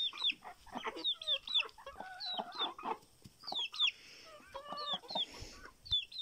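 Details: Hens being fed by their keeper: soft, rapid clucks and short high chirps from several chickens, mixed with rustling, scratching and a brief metallic clang.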